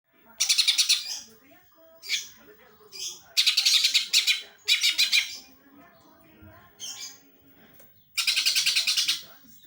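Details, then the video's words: Greater green leafbird singing with a phrase mimicking a sparrow: loud, rapid, rattling bursts of high scratchy notes, each about a second long, broken by short chirps and pauses. "cucak ijo rasa gereja"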